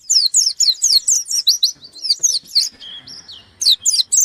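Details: Insistent white-eye challenge song, a near-continuous stream of rapid, loud, high-pitched chirps, broken briefly by a few level whistled notes before sharp chirping resumes.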